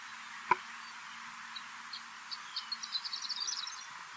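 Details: A Horned Lark, a Newfoundland bird of barrens, tundra and treeless grassy or coastal areas, gives faint, high tinkling, bell-like notes that quicken into a rapid jingling run over about a second; low steady hum, one sharp knock.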